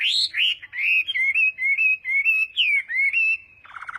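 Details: Chinese hwamei contest song during morning voice training: a string of clear, fluting whistles, each gently rising and falling, repeated about twice a second, ending in a brief burst of harsher notes.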